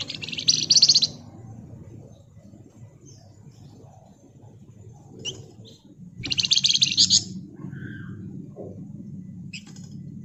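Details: Pied fantail singing gacor ngebren, used as a lure: two dense bursts of shrill, rapid high chatter, each about a second long and five seconds apart, with scattered faint chirps and a constant low rumble.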